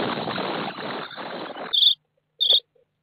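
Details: Common starling chicks inside a nest box, recorded 24 May 2017 by an IP camera in the box: a harsh, hissing rasp for over a second, then silence broken by two short, bright squeaky bursts.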